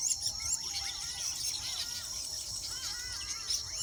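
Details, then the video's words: Weaver birds nesting in the wild keep up a steady high sizzling chorus, with quick bouncing chirps and short squeaks overlapping throughout. "sights sounds of weaver birds intricate nesting habits in nature wild"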